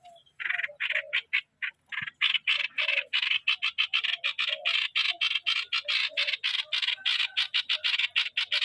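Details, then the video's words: A decoy streak-eared bulbul calls in a long, fast series of rasping, chattering bursts. The bursts grow steadier and quicker toward the end, over an otherwise quiet background. "เสียซอ เสียงนกต่อ นกปรอทสวน"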